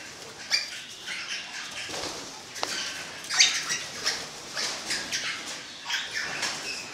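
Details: Orange-blue fallow pennant parakeets chattering: busy overlapping squeaks and raspy chirps, with a few sharper high notes standing out amid the steady noisy chatter.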